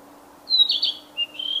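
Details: Narcissus flycatcher singing in the wild: a brief high whistled phrase of clear notes dropping and rising, followed by a shorter warbled second phrase, over a faint steady low hum.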